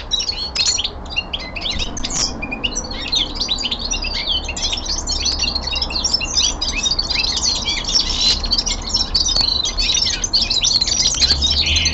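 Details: Young male common linnet kept at home singing its winter descant: a long, fast twittering stream of high buzzy notes and short sweeping whistles, nearly continuous for twelve seconds, with a faint low background hum.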